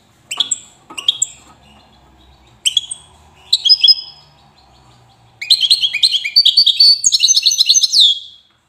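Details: Widani-type European goldfinch in Safi, Morocco, opening with several separate sharp call notes, then breaking into a rich, rapid twittering song with high rattling trills.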